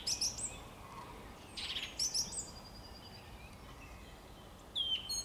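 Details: A song thrush, recorded 26 March 2022, gives short, high, sharp whistled phrases about every two seconds, one repeated almost identically, over a low steady background rumble.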